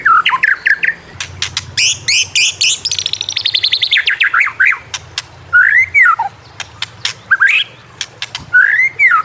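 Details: Prolific white-rumped shama song for training other shamas: a fast rattling series of high notes, sharp clicks, and loud swooping whistles that rise and fall, over a faint low hum.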